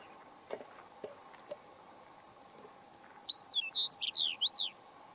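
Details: Chestnut-collared longspur (Calcarius ornatus) in Pawnee National Grassland, Colorado, USA, on 29 April 2018. It gives one rapid, tinkling song of high, sweet, slurred notes lasting under two seconds, preceded by a few faint ticks over a low steady hum.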